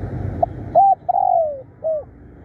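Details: Spotted dove, a decoy bird used for luring wild doves, described as fierce and calling tirelessly: a short soft note, then a clipped coo, a long drawn-out coo sliding downward, and a final rounded coo, over low rumbling background noise.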